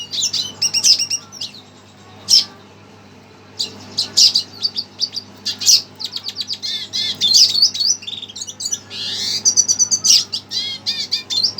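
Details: Red siskin stirred by a played recording, delivering bursts of high twittering song separated by short silences, including a quick buzzy upward sweep near the end before the chatter resumes.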